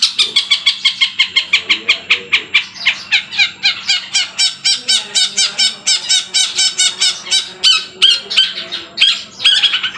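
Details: Cendet, the long-tailed shrike, in imitative song said to copy 'kuntilanak' and 'tengkek buto' sounds: loud, high, scratchy notes repeated in fast bursts with changing pitch and rhythm, heard indoors with a faint steady hum.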